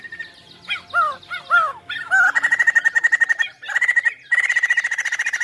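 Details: Chinese hwamei singing energetically: three clear down-slurred whistled phrases repeated, then a long loud rattle of rapid notes at one pitch, broken by short pauses and resumed.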